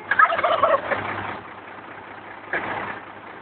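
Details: Two tom turkeys in El Dorado Hills answer a garbage truck's air horn with a rapid rattling gobble lasting about a second, then later a shorter second gobble, over a low engine hum.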